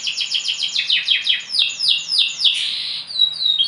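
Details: Canary, bottle-green variety, sings quick falling notes repeated about three per second, then a broad warbled flourish and thin high slurs.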